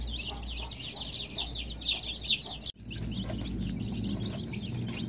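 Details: A group of colored baby chicks chirps in a fast, high, overlapping chorus of falling peeps, broken by a sudden click midway, after which fainter peeping continues over a low hum.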